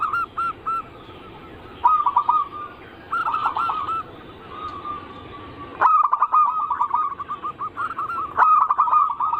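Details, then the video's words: Lure song of zebra doves, anggungan style, to trigger local, Bangkok and crossbred birds: short phrases of soft coos with gaps, then two loud rapid rolling trills of many even notes, each opened by a sharp click. "Pancingan burung perkutut paling ampuh penarik Bunyi semua jenis burung perkutut Anggungan"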